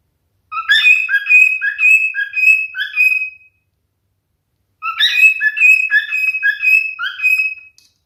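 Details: Male cockatiel singing: two whistled phrases of about three seconds each, separated by a short silence, each a run of short notes swinging between lower and higher pitches and closing on a long, steady whistle.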